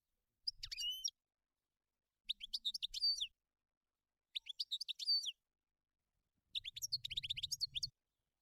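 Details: European goldfinch singing in the wild: four separate twittering bursts of about a second each, mixing bright chirps with a nasal buzzy note. Low rumbling noise under the last burst.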